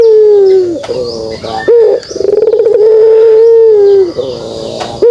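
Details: Pelung turtle dove coo in the kugeruk style: a long low note that dips at its end, a trill of pulses, then an extended steady hum.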